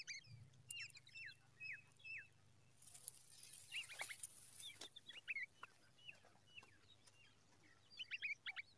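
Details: Babbler chicks begging for more food: sharp high squeaky chirps in uneven bursts, with a brief hissing rustle partway through and a final flurry of excited begging notes.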